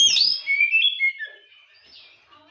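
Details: Oriental magpie-robin in the afternoon, a lure song meant to provoke other birds: one loud, sharp whistled phrase that drops through a few slurred notes and fades into soft twittering within about a second.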